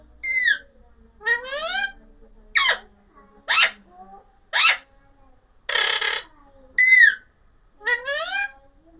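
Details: Alexandrine parakeet giving loud, harsh chirps and screechy squawks in steady bursts about once a second, some calls sliding downward and others rough and noisy, with no other sounds around.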